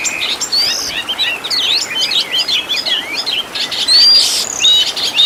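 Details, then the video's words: Kacer (Oriental magpie-robin) master recording full of 'tembakan' fill-ins, meant to train caged birds: busy jumble of high curling whistles and chirps, with one long bright rising whistle near the end. "MASTERAN BURUNG KACER FULL ISIAN TEMBAKAN MEWAH LENGKAP"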